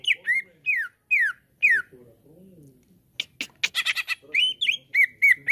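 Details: Cucak ijo, or green leafbird, song used as a lure so a caged bird sings out: sharp descending whistled slurs, a pause, a harsh rattling chatter, then steady repeated whistles.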